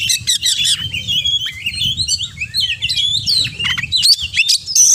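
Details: Oriental magpie-robin singing a 'full isian' mimicry-laden song: fast runs of sharp chips and slurred whistles, trills and buzzy notes almost without break, over a soft low rumble.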